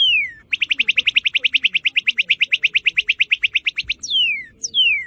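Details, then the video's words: Cardinal song: a falling whistled slur, then a long rapid trill of even chipping notes lasting over three seconds, followed by two more loud down-slurred whistles. "سەوتی کاردیناڵ"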